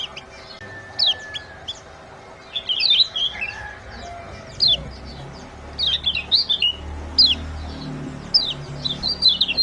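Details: Lure for getting quiet birds to sing: repeated clusters of sharp, high, falling chirps and quick twitters, coming in bursts with short gaps throughout, over low rumble.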